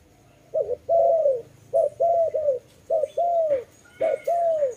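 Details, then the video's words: Dove cooing in a repeated two-part pattern: a short clipped note followed by a longer, smooth, slightly falling coo, repeated about once a second, with faint background clicks. "Lovely dove/ lovey sounds"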